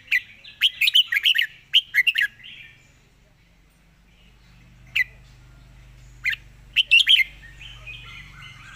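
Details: Red-whiskered bulbul giving a rapid 'zone' style song: a quick run of bright, chattering warbled notes in the first two seconds, then a quiet gap and three isolated sharp notes near the end, over a low steady hum.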